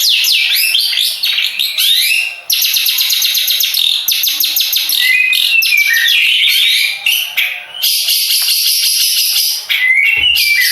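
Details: Long-tailed shrike of the Madura type, a contest bird, singing a dense, nearly unbroken stream of harsh chattering and buzzy notes. Brief whistled slurs are mixed in, with only short pauses over about ten seconds.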